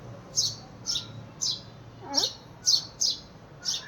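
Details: A house sparrow gives seven bright chirps at an uneven pace, about two per second, over one lower sliding sound and a soft room hum; the owner believes it is calling for its companion that left.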